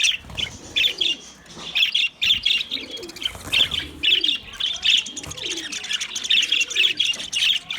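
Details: Several white budgies chirping and warbling continuously, scratchy high notes in quick bursts, with soft low murmuring notes beneath.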